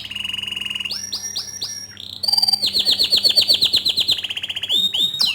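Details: Tutor song of a bottle-green canary for young and untrained canaries: a sustained high trill, a set of descending whistled notes, then a loud, fast roll of repeated high notes ending with a quick upward sweep.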